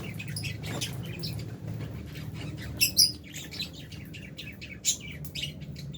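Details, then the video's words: Colony of albino and Fisher's lovebirds in an aviary cage keeps up quick, high-pitched chirping, with a few loud piercing squeaks standing out above a constant low background hum. "Lovebirds Chirping Sounds"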